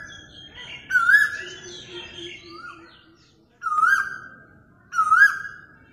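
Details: Asian koel taped on a mobile phone. Three wavering whistled calls with sustained tails; the first overlaps a busy mix of other birds' chirps and warbles, and the later two stand clear over low background hum.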